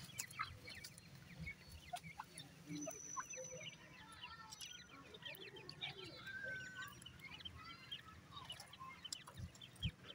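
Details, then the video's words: Teetar chicks feeding at night, producing a dense mix of quick, thin cheeps and chirrups, with a few longer whistled notes and a low droning hum throughout. "pheasant chicks are also called feed at night,lovely chicks teetar"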